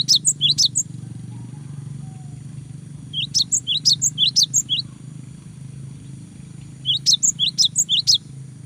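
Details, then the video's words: Energetic cinereous tit song meant to provoke rivals into responding: three phrases of high, ringing two-note whistles repeated rapidly, set against a noticeable low background rumble. "GELATIK BATU GACOR BIKIN LAWAN EMOSI !!! LANGSUNG NYAUT !!"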